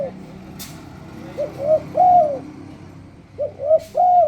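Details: Spotted dove song used to lure other doves into singing, two phrases of soft stuttered coos ending in a long arched coo, over a steady low hum with two brief hissing noise bursts.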